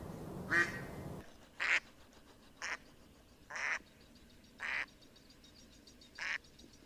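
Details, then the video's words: Duck at a pond quacking six times at irregular intervals, short buzzy nasal calls. A brief burst of noise comes before the second quack, then the background falls quiet. "Duck Sound duckling in the pond -duck quack"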